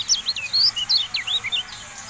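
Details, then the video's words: Javan white-eye masteran song: a short, lively string of high, clear notes, each swooping down or rising, delivered in quick succession over about two seconds. "MASTERAN TERBARU KECIAL KUNING"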